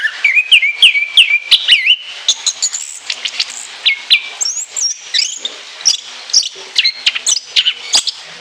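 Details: Caged orange-headed thrush singing a long, rich song with many mimicked notes and high shrill shots: rapid varied whistles, trills and sharp chirps packed densely over eight seconds.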